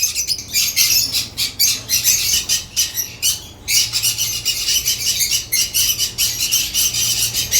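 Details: African lovebirds chirp in loud pulsing bursts of shrill squeaky notes, a short lull near the middle, then rapid chattering resumes, several birds calling at once.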